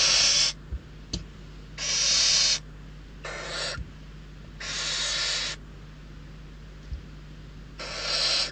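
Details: Barn owl chicks at Riet Vell Natural Reserve, Ebro Delta, desperate for food and quarrelling over prey, give around six hoarse hissing screeches of varying length, some loud and some softer, with occasional clicks between.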